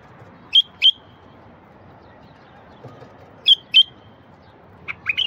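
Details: ['Wild bulbul song used to prompt silent birds to sing: paired short bright whistled notes repeated about three seconds apart, then a rapid warbled phrase at the end, over a low background hum.']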